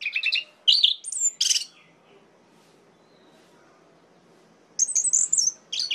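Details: Orange-headed thrush singing to provoke rival males: loud, varied whistled and buzzy phrases in quick bursts, a silent gap of about three seconds, then high sweet whistles and harsher notes return.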